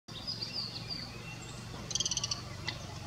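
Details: A golden bush robin calls from beside a busy road, giving thin high whistles, then a quick burst of about eight ticking notes and a final chip, over a steady low rumble of passing trucks and other traffic.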